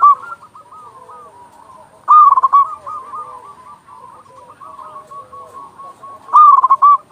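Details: Local zebra dove sounding loud song, used to stimulate other doves into singing: two loud bursts of rapid stuttering coos stand over a continuous background of softer overlapping purring coos.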